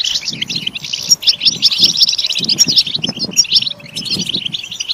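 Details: Goldfinch song of fast high chirps and liquid twitters, broken by short gaps, over a background of soft low rustling or murmuring bursts.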